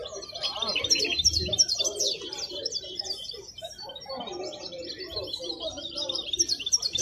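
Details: Caged wild-caught European goldfinch at Al-Qurai'a market sings lively, jingling twitters and rapid chirp series, steady and high, with people's voices and market bustle in the lower background.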